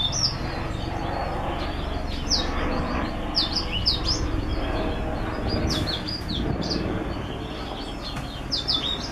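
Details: Mule canary hybrid, a cross of a white-tipped green singer with a Timbrado hen, giving short high chirps and sharp upswept notes in scattered bursts over a steady low rumble of background noise.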